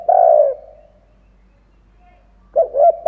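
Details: Decoy spotted dove calling to excite other doves: a long low coo trailing off, a pause, then the clipped opening notes of a new phrase.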